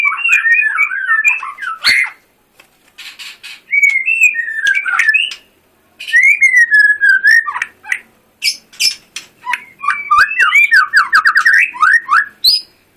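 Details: White-rumped shama singing separate bursts of varied song: whistled slurs, clicks and rapid trills, with silent gaps of about a second between phrases.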